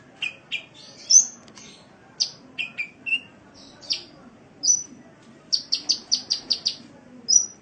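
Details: Sunbird kept as a cage bird, Indonesian training recording: varied high chirps and short whistled notes, some dropping lower, scattered irregularly, ending with a quick burst of rapid chirps and a final whistle.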